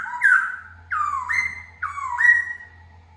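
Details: Laughingthrush released inside a home for the first time: three loud looping whistles, each dipping then climbing to a level tone, spaced about a second apart, with a steady low hum behind.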